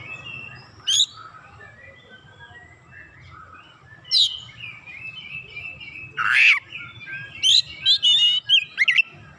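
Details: Oriental magpie-robin giving lively, varied lure song: scattered high whistles and sharp chirps, loud bursts at intervals of one to two seconds, ending in a quick run of varied notes over a low steady hum.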